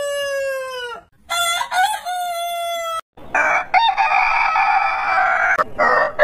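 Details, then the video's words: Rooster crow from a heritage-breed compilation: a long, clear, steady harmonic note sliding down at its end, then a harsher broken phrase, followed by a rougher, noisier drawn-out crow. "Chicken Crowing"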